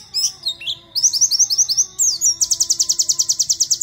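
A white-eye sings a high, rapid twittering song of sweeping chirps that ends in a fast run of repeated notes, over a faint low hum.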